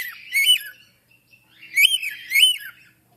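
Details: African grey parrot producing a wavering, squawky syllable, a pause, then two louder modulated notes that swoop upward and drop, with a few soft clicks in the quiet gaps.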